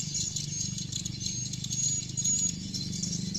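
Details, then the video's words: Swiftlets from a farmed colony raised for nest cultivation: a dense, unbroken high rattling chatter of many birds with rapid clicking pulses, carried over a steady low rumbling hum. "MEMPERTAHANKAN KOLONI BURUNG WALET"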